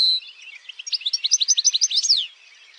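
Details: European goldfinch in campero song style, a fast run of high twittering, tinkling notes rising to a sharp slurred flourish near the end, then quiet.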